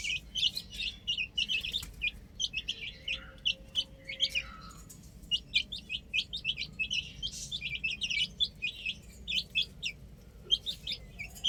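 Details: Baby chickens at play on a rooftop keep up a busy chorus of thin, high cheeping notes, clustered in bursts with one softer downward-sliding call near four seconds.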